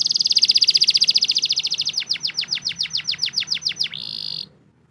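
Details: Canary song used to coax lazy canaries into singing: a fast rattling trill of high notes, then a series of sharply descending whistled sweeps about four per second, ending in a brief buzzy tone.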